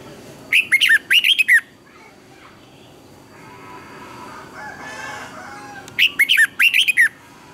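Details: Red-whiskered bulbul performing a lure song with double twisting notes, used to train other birds. Two clusters of rapid, rolling whistles, one early and one late, separated by quiet with faint distant twittering.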